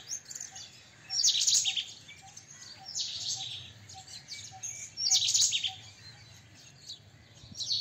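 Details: White-breasted kingfisher: harsh, screechy high bursts come roughly every two seconds, the strongest near the start and middle. A regular soft low pip runs underneath.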